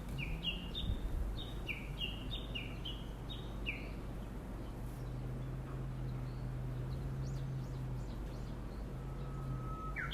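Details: Wild bird calling near a new home in rich countryside: a quick series of high, downslurred chirps repeated about twice a second for four seconds, then a thin whistle, over a steady low hum.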